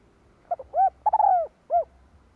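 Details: Low, soft cooing of a decoy spotted dove calling to draw wild doves: short stutter notes, a rounded hoo, a long sliding coo and a final hoo in one phrase.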